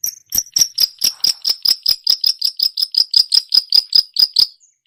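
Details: Long-tailed shrike (cendet) imitating other songbirds, recorded as a training song: a steady series of sharp, high chipping notes, about three or four each second, repeated evenly for nearly five seconds.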